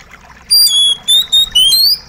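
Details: Part of an Oriental magpie-robin song mixed with gently trickling water: a quick run of four bright, high whistled notes, the last one drawn out and rising.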